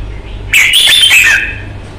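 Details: Kept red-whiskered bulbul in Vietnam, noted for a fighting temperament and very fine voice, delivers a single loud, rich, rippling warble of quick slurred whistled notes lasting under a second, with faint low hum behind.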